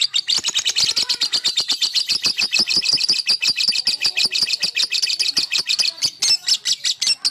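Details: Male lovebird, singing to rouse rivals, delivers a dense, rapid stream of high shrill chattering notes that runs on unbroken.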